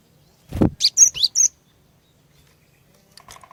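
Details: Female cinereous tit used as a lure for males: a low thump, then one fast phrase of four high, piercing whistled notes, followed by faint distant chatter.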